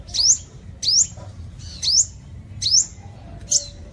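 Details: Sunbird singing, a recording used to lure birds: five high, sweeping upward notes, each sliding and slightly buzzy, spaced just under a second apart, over a quiet low background rumble.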